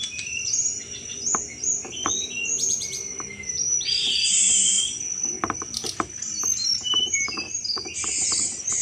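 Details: Lively Sunda robin pouring out chattering cetrekan song, suited to luring all kinds of thrushes; a long stream of high sliding whistles, harsh rasping bursts and twitters, with sharp clicks scattered through.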